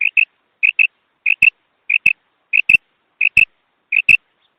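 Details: Female quail voice used in hunting: seven loud paired high notes, a short and a stronger note in each pair, repeated about every 0.65 seconds, most pairs with a sharp click.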